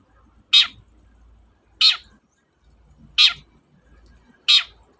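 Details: Four loud, raspy screeches from a long-tailed shrike, used to provoke reluctant shrikes into singing, evenly spaced about 1.3 seconds apart over a soft low-pitched background hum.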